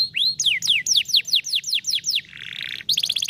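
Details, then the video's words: Canary singing in the 'vara de pescar' style, meant to prompt a lazy canary into song: a quick series of high, downward-slurred whistles, about four per second, then a brief buzzy tone and a sharp trill. "som de vara de pescar canário preguiçoso"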